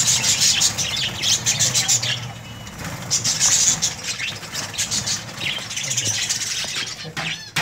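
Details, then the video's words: Breeding colony of budgerigars giving bursts of high, scratchy chirping and warbling that rise and fall in waves, with low rumbling background noise and sharp clicks near the end. "Budgies Parrot colony"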